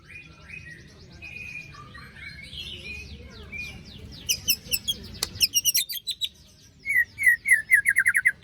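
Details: Post-moult white-rumped shama singing a lure song with harsh 'besetan' strokes: quiet low warbling gives way to a burst of rapid, buzzy, very high notes, ending in a fast series of clipped whistles.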